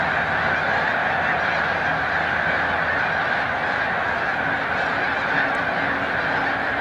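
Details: Migrating snow geese massed at Montezuma, New York, 7 March 2022; a continuous, even roar of many honking birds with little variation, a faint low hum beneath.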